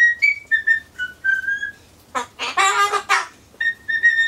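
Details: Pet Solomons corella whistling a tune-like imitation, likely its off-key Happy Birthday, while waiting for pumpkin: clear pure whistled notes stepping up and down, broken by a harsh squawk burst mid-phrase.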